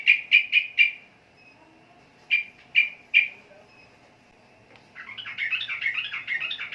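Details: Sooty-headed bulbul: two groups of sharp, bright chip notes, three quick then three spaced, followed after a pause by a fast bubbly run of warbled notes.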